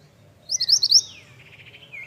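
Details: Pied bush chat in vigorous song, giving one quick burst of four or five high, rising whistled notes, followed by softer descending twitters and a low steady hum.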